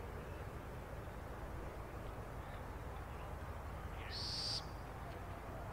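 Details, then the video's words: Burrowing owl owlet in Brazil producing a single short, harsh, hissing rasp about half a second long, heard over steady low rumbling wind noise. "BEBÊ CORUJA - Athene cunicularia - Burrowing Owl"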